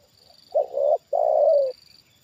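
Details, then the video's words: Spotted dove trained as a decoy, reacting to a wild bird descending for the second time; two loud hollow coos in close succession, the second longer and sagging slightly at its end, faint high whine underneath. "Inilah Reaksi Tekukur Ajaran Di Turunin Burung Liar Untuk Kedua Kalinya"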